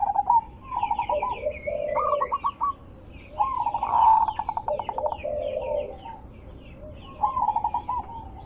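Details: Zebra dove with a strong, melodious voice, used as a lure for other zebra doves. Staccato note runs and rolling trills alternate with low gurgling coos, while higher chirps from other small birds sound throughout.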